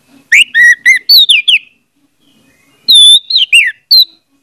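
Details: Orange-headed thrush song played as a lure to get a silent thrush singing: two bursts of loud, clear whistled phrases with rising and falling slurred notes, separated by a short pause, against a quiet background.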